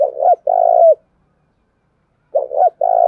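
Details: Spotted dove cooing as a lure to draw in and provoke rival doves; two-part coos, a short double note followed by a longer steady low coo, heard twice with a pause between.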